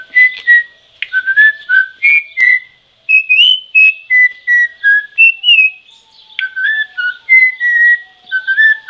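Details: Troupial whistling a long varied sequence of pure notes, mixing rising slurs, flat tones and falling notes in clusters, broken by a short pause midway.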